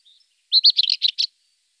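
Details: Rufous-tailed scrub robin singing one quick phrase of about six rich, warbling notes in rapid sequence, slightly varied in pitch, after a faint soft note; otherwise silent.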